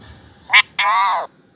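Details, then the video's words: Talking pet parrot saying its name in two syllables: a short clipped note, a brief gap, then a longer, richly harmonic syllable that arches up and falls away, over a quiet background. "Talking parrot"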